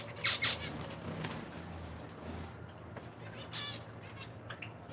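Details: Zebra finches kept in an indoor bird room with Java sparrows, feeding chicks at their nests. A pair of loud nasal, trumpet-like calls opens, then fainter buzzy notes follow over a constant low hum and rustling.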